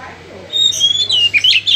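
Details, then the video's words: Oriental magpie-robin in natural song, used to provoke captive birds into singing: a long, drawn-out level whistle, then quick, wavering, slurred whistled notes, over a low steady hum. "Suara Asli Kacer, Picu Kacer Bahan Cepat Respon Ikut Gacor Ngegas"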